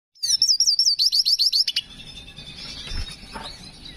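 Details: A black hooded siskin in breeding condition sings a quick run of high, looping twittered notes, then a faster series of sharp rising chirps, trailing off into a faint thin trill.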